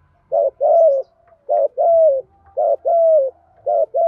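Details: Spotted dove Thổ-style cooing used in daily training of decoy birds; a steady run of low two-note phrases, short then long and slightly falling, about one per second.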